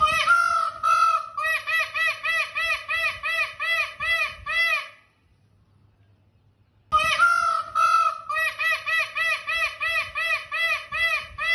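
Indian peafowl giving loud, nasal, ringing notes in a rapid run of about three per second, opened by one longer wail; a silent break, then the series repeats.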